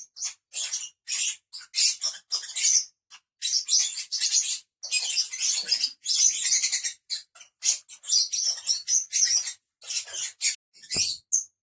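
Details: Five lovebirds kept as pets chattering with shrill high chirps in dense overlapping bursts, a steady flow of squeaky notes throughout.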